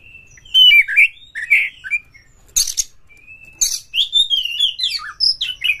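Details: Prompting song of a white-rumped shama: slurred whistles and buzzy notes at the start, a harsh sharp burst, then a lively run of varied whistles and chips.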